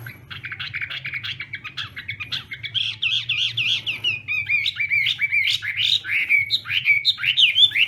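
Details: Morning voice training of a Chinese hwamei singing in contest style: soft chattering at first, building into loud, fast, richly varied whistled phrases with sweeping and looping notes, over a faint low hum.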